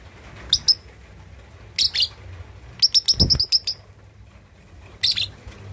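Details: A 2.5-month-old lovebird learning to chatter (ngekek), used to provoke rivals: short, sharp, high chirps in scattered bursts, including a quick run of six notes near the middle over a faint low background hum.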